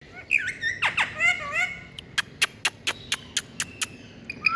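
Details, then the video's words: A pet rose-ringed parakeet gives warbling, speech-like chatter and squawky chirps, then about nine sharp clicks in a quick, even series. "Parrot Beauty🥀Bird Indian🤍Tutu Love Talk"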